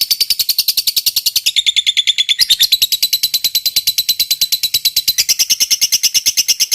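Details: Long 'ngekek' chattering from a fighter-type lovebird: an unbroken, very rapid stream of shrill, buzzy repeated notes, about three per second, shifting slightly in pitch partway through but never pausing.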